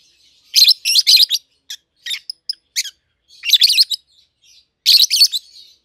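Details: Pair of captive peach-faced lovebirds, a red-headed green opaline and a red-faced dark green, 7-8 months old, raised together at home; bursts of shrill, buzzy chirps in clusters with short gaps, some single sharp notes between.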